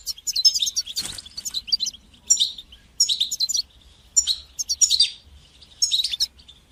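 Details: European goldfinch song in the bitbita and sitsita styles, used to stimulate goldfinches and teach young birds to sing: high, rapid twittering bursts in short phrases about every second, with a brief low thump near the start.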